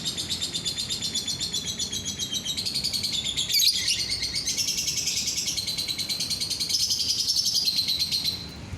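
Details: Lovebird song played to prompt other lovebirds to sing: dense, rapid, high chattering twitter, unbroken for nearly nine seconds, with buzzy trills and squeaky notes rising and falling.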